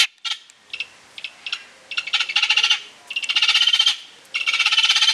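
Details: A captive vulturine guineafowl at a bird park in Alphen aan de Rijn, Holland, sings: harsh, metallic chattering bursts of rapid clinking notes, each up to a second long, repeated with short pauses.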